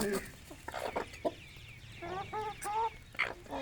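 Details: Aseel rooster and hens eating grain on a village morning feed; short harmonic clucks and a few drawn-out, nasal calls come in loose bursts, with scattered clicks and pecking noises in between.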